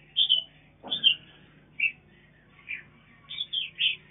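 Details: Mutant mountain red-whiskered bulbul rearing chicks on a farm: brief high chirps and short whistled notes in loose series, one soft thud, with a steady low hum beneath.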